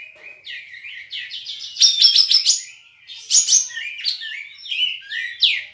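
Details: Olive-winged Bulbul kept in Singkawang, West Kalimantan, in an online song contest: soft warbles build into fast rattling runs of high chirps, then twisting slurred whistles.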